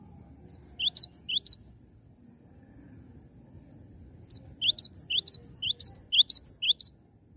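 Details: Live Cinereous tit in energetic song: two bursts of high, sharp repeated notes, rising chirps paired with thinner whistles, separated by a quiet gap of about two and a half seconds, with faint low background hum.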